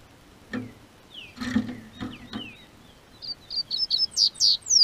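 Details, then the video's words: Caged double-collared seedeater in southern Brazil, singing as warmth returns. Several thuds and short falling chirps lead into a quickening burst of piercing, high whistled notes that rise in pitch toward the end. "O Tempo Esquentou, COLEIRO Cantou"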